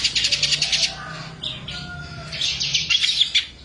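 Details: Long-tailed shrike singing in full, lively voice with a rich repertoire: rapid high chattering bursts, a short clear whistled tone in the middle, then another burst of dense twittering notes.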